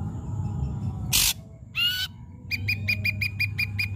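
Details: Ashy drongo singing loudly and persistently, a recording meant to draw silent drongos into song. A harsh rasp and a short buzzy note are followed by a fast, even run of clipped ticking notes, about seven in 1.5 seconds, over low hum.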